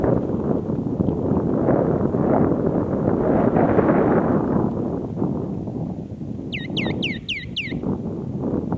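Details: A Western rock nuthatch in Nevşehir, Turkey, 2017, gives a quick burst of five sharp, high, sweeping notes near the end, after a long stretch of strong wind rumble.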